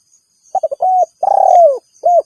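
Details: Rival-summoning call of a spotted dove, used to attract wild birds and train kept ones: quick clipped coos run into a steady hoot, then a drawn-out rolling coo that droops in pitch and a short closing coo.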